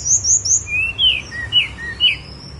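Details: Snowy-browed flycatcher on Songgo Langit mountain: three very high whistled notes in quick succession, followed by a slower series of lower, slurred, thin whistles about every half second.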